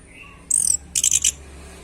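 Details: Orange-headed thrush singing loudly: a high, thin whistled note, then a quick burst of four shrill, buzzy chirps in close succession, clear against a quiet background.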